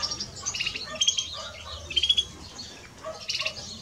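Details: European greenfinch song, male and female: bursts of bright twittering trills and buzzy notes, roughly once a second, high-pitched with a faint background hiss.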